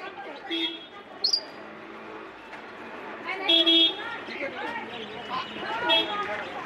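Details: Pet African grey parrot mimicking a mobile ringtone, saying "Hello" and "I have a surprise for you", and whistling a tune: speech-like chatter, a sharp rising whistle and bright tonal phrases over faint hum.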